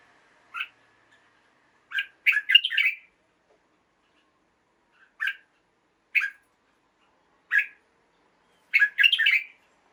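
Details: Red-whiskered bulbul kept in a cage, singing in the morning: lively clusters of warbled notes alternating with single short chirps spaced about a second apart, over a quiet background.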